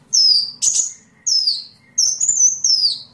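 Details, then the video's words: Sunbird song for songbird training: repeated high falling whistles, one harsh scratchy note early on, and a longer warbled phrase that ends in a downward slide. "Masteran burung Kolibri"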